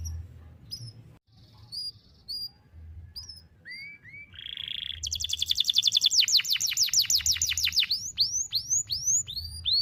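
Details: Canary song for tutoring young canaries, delivered in long single-breath phrases: sparse soft notes and rising whistles at first, a short buzz, then an intense fast trill of repeated sweeps and slower bright down-slurs.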